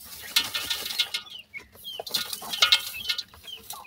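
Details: Partridge chicks of the grey francolin (teetar) give scattered thin rising peeps amid sharp clicks and rustles, with a few louder chirps near the end.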